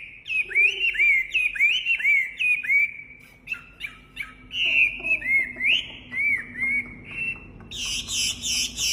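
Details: Wambi song of bright, rapidly repeated whistled notes that swoop down then level off, phrases strung together and ending in a burst of higher, buzzy chatter.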